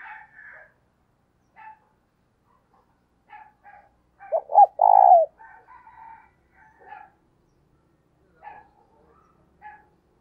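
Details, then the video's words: One loud phrase from a decoy spotted dove, two short notes and a long coo, set among repeated softer chirping calls from other birds throughout. "Tiếng Chim CU Gáy Mồi Gáy Sung - Dùng Kích Bổi Siêng Gáy"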